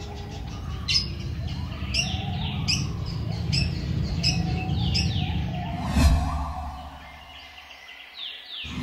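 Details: Society finches during mating at a bird farm in Sidoarjo, East Java, Indonesia give short, bright chirps almost every second in a quick chattering run over a steady low rumble.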